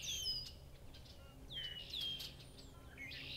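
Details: Red-winged blackbird song among other birds on a Massachusetts farm, short falling whistles followed by bursts of rough buzzing, several voices overlapping in a few seconds.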